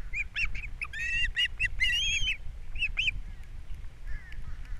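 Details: Osprey pair at their Captiva nest, April 3, 2022, with fish brought in for breakfast and the chicks being fed; quick, piercing whistled chirps, some drawn out and slightly rising, in uneven bursts over low rumble.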